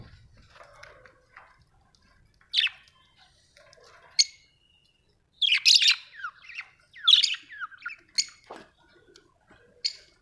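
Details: Budgerigars kept at home chattering in scattered bursts: sharp squeaks, rising and falling warbled notes and brief squawks, growing busier midway and separated by short quiet gaps.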